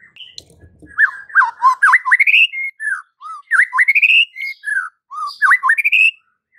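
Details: Masteran song of the white-rumped shama for training caged birds: looping, rising and falling whistled phrases repeated with variation, preceded by a faint low rustle.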